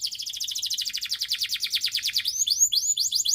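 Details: Canary song aimed at encouraging other canaries to sing: a fast buzzy trill of rapid repeated notes for two seconds, then widely spaced rising whistles.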